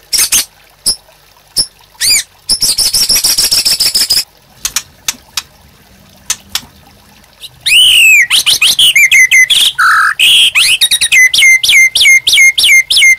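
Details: White-rumped shama master song for training caged birds to sing: scattered sharp clicks and a buzzy high trill, then a loud run of rich whistles, swoops and rapid repeated chips.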